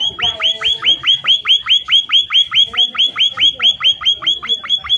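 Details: Munia (emprit/pipit) giving a steady run of high, sharp chirps, each dropping quickly in pitch, about four per second, with only faint background noise; a lively call used to lure other munias into answering.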